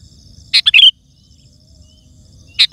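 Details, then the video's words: Sooty-headed bulbul singing loudly, used to lure wild birds in forest or garden and to tutor caged bulbuls: one short bubbly, chattering phrase of quick notes, then silence, then another phrase starting at the end, with a faint steady high tone behind. "Suara Burung Kutilang Gacor❗ Lantang Bikin Gacor Kutilang Lain"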